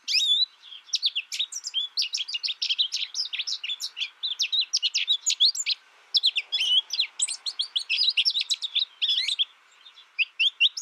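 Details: American goldfinch raised alone and learning from a recording sings an extended, rapid twittering song of high chips and slurs, with one brief break midway.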